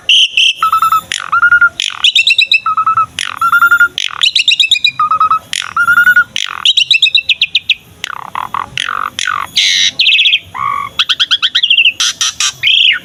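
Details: Asian pied starling in lively full song, used to train and lure other starlings: loud, varied run of harsh rasps, clear level whistles and rapid stuttering chatter, with repeated low whistled phrases alternating with buzzy notes.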